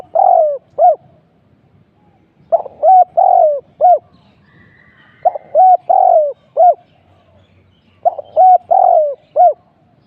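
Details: A spotted dove decoy coos during trapping, repeating four groups of rounded, hooked coo notes, each group ending with a longer drawn note. The rhythm is steady against a near-silent background.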